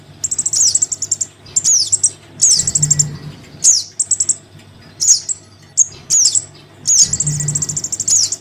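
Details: Lure recording of a Crimson sunbird chick calling its parent: rapid trills of high, thin chips broken by sharp descending squeaks, in uneven bursts roughly every second, over a low steady hum.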